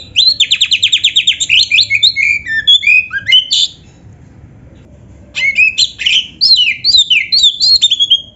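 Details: Kacer (oriental magpie-robin) in full 'gacor full isian' song: a rapid string of about twenty buzzy notes flowing into varied whistled phrases, a silent interval, then more loud, jerky, sweeping notes.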